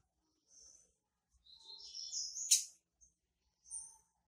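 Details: High twittering from a female double-collared seedeater asking to mate with 'tui tui' calls: a short thin note, then a rising warbled run ending in a sharp accented chip, followed by brief high whistles; faint tapping underneath.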